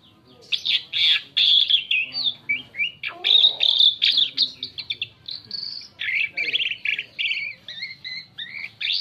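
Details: Asian pied starling lure song for attracting other birds: fast, varied sequence of harsh chatters, rising whistles and squeaky slurred notes repeated almost nonstop.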